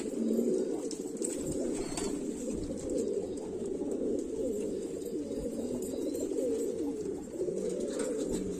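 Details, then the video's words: Many highflyer pigeons from Moradabad cooing together, a loud continuous low throaty rumble of overlapping coos, with occasional short higher squeaks and scuffling noises over it. "pigeon Masti ll original sound"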